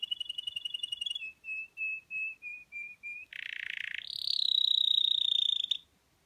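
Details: A male Russian canary sings a fast whistled trill, then slower clear notes about three per second, a harsh buzzy roll, and a high ringing trill.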